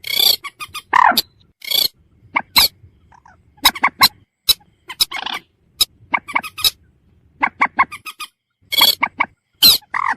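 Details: Purple swamphen, known locally as mandar batu, giving loud harsh squawking and clucking notes in irregular bursts, some rapid short notes and a few longer nasal calls, with silent gaps between.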